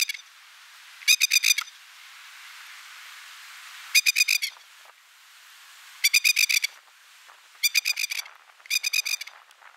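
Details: A masked lapwing parent defends a nest of four eggs in Dittmar Park, Upper Mt Gravatt, against the recordist about 20 metres away, giving loud, strident 'kek-kek-kek' rattles about half a second long, repeated every few seconds.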